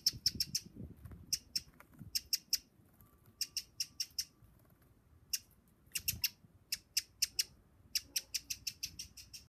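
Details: Eurasian wren uttering bursts of three to seven crisp, high ticks separated by brief gaps, a hard rapid clicking pattern against quiet low background noise.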